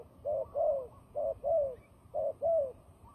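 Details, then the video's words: Turtle dove fighting call, of the kind used for trapping: paired coos, a short hum then a longer falling coo, three pairs about a second apart against a quiet low background. "fighting dove"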